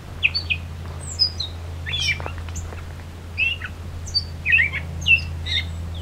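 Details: Gray Catbird singing in Beverly Swamp, Flamborough, Ontario, Canada, on a summer solstice 2024 hike: disjointed squeaky, mewing and chattering notes spaced irregularly, each phrase different, over a constant low hum.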